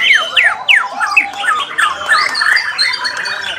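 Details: Varied song of a white-rumped shama: sharp descending whistled slurs, then chattering notes and warbled phrases in quick succession.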